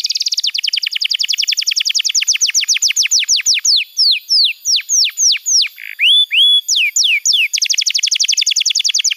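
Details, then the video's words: Song meant to get a silent young canary singing. A fast rattling trill slows into separate ringing down-slurred notes and upslurred whistles, then speeds up again into a rapid trill. "Masteran Kenari PAUD & Pancingan Kenari MACET BUNYI‼️"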